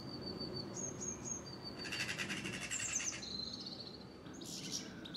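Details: Mistle thrush from a family of two parents and three juveniles visiting a garden; a dry, pulsed rattling churr lasting about a second, amid thin high whistled notes from other birds and low background rumble.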